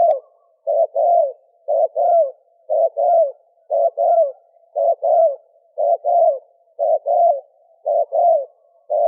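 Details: Rapid series of spotted dove coos in the thổ kim style, male and female, used to provoke wild doves: low, mellow paired hoots repeated steadily about once a second without a break against silence.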